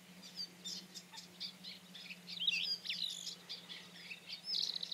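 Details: A rufous-tailed scrub robin delivers fast, scratchy, high warbling phrases mixed with sharp rising whistles, fairly faint above a steady low hum.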